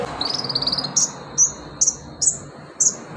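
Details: A fast high trill opens, then sharp separate notes repeat roughly every half second. The bird is an olive-backed sunbird (konin), singing in a rapid 'full roll, tembakan pedas' style meant to trigger singing in other sunbirds. Low background rumble.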